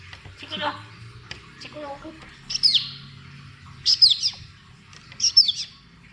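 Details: Tame pet African grey parrot, kept as a Malayalam-talking bird, indoors amid talk of a cat: three short, high, squeaky chirps with quick downward twists, spaced about 1.3 seconds apart, after a person's voice and faint rustling.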